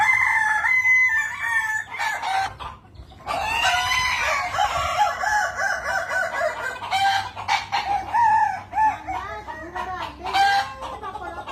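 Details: Layered crowing from a Kukuak Balenggek chicken, Minangkabau breed known for tiered multi-syllable crows; long stepped phrases with small pitch bends, a brief pause near the start, and softer trailing notes toward the end.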